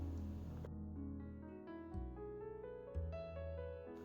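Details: Soft piano music plays a slow sequence of chords and notes, with no birdsong or other animal sound.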